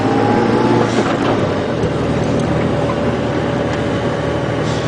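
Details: A loud, steady vehicle engine drones throughout on a morning safari drive, with no animal voice heard.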